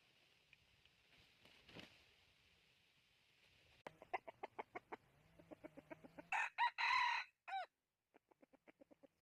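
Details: Aseel rooster: a run of short, rhythmic clucks quickens into a loud, harsh, harmonic crow of about a second, then a shorter burst and a few soft trailing clicks against a quiet background.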